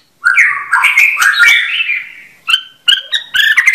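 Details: White-rumped shama song, clearly recorded: a bright run of slurred whistles and chattering notes around mid-high pitch, a brief pause, then sharper clipped phrases at the end.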